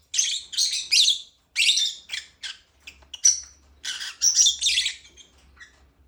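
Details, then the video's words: Lovebird chirping in harsh, high bursts, several quick notes at the start, a thin whistled note midway, then a louder chattering cluster. "Lovebird chirping sound"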